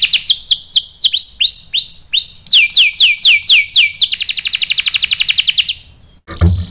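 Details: Canary song meant to stir other canaries into replying: slurred downward-sweeping whistles repeated about twice a second, speeding into a rapid buzzy roll that fades, then a brief high burst with a low thump.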